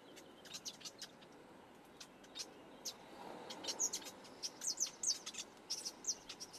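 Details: A black-headed weaver (Ploceus melanocephalus) repairing its nest at Quinta do Lago, Portugal, gives sharp high chips and ticks about one a second, clustering into a busier burst midway, over soft hiss; black-headed weaver.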